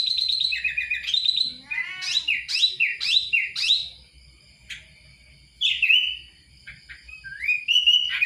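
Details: Lively Kutilang song of quick, looping whistled notes that swoop up and down, followed by a pause and then scattered single whistles and a final rising note.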